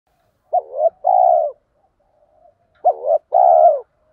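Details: Male and female spotted doves calling to stimulate training birds: two low cooing phrases, each a short bent note followed by a longer steady coo, about two seconds apart against a quiet background.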